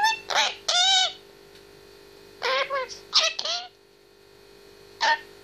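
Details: Indoor grey parrot aged 18 months talking and singing: short bright harmonic syllables in groups of two and three, spaced by pauses of about a second, ending with one isolated syllable.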